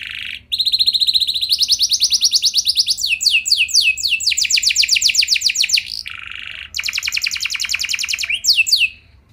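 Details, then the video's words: Long rolling canary song played to stir other canaries to reply: buzzy steady tone, then rising trill, then fast series of downward-sweeping notes, a harsh buzzy burst and another rapid trill. "Bakal Bikin Emosi Burung Kenari Lain Langsung Nyaut Gacor Ngeroll Panjang"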